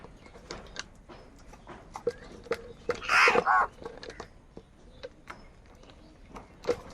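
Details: Crows heard in the morning while fighting over food; a single loud, harsh, broadband caw burst lasts about half a second midway, surrounded by faint clicks, chewing-like noises and scattered short calls.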